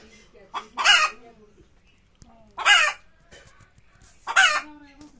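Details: Chicken calling before laying eggs, three loud harsh squawks spaced nearly two seconds apart, each preceded by a short softer note, with low murmuring clucks between.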